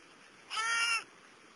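A New Caledonian crow gives one nasal, slightly arched call lasting about half a second, rich in overtones, against an otherwise quiet background.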